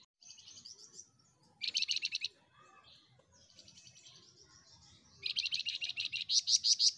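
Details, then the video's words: Flamboyan singing gacor: a short loud buzzy burst, softer twitters, then a long fast run of repeated chattering notes that rises into piercing high pips at the close. "Burung FLAMBOYAN Gacor"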